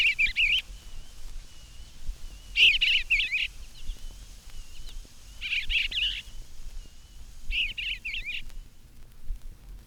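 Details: A male Eastern Bluebird sings from a birdhouse roof in a garden on a spring morning while his mate builds the nest: four soft, burbling warbled phrases, each under a second and mid-high in pitch, about two seconds apart, over low hiss and rumble.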